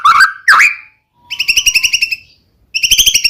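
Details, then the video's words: White-rumped shama song meant to provoke a rival shama to answer: two loud rising slurred whistles followed by fast trilled runs of repeated high chirps with a brief silence between. "murai batu gacor AMPUH buat PANCINGAN murai batu agar bunyi"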